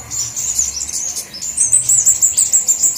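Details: Lure sound of flowerpeckers, several kinds together: sharp, very high ticking that breaks into a fast, thin, even trill in the second half, with a faint low hum.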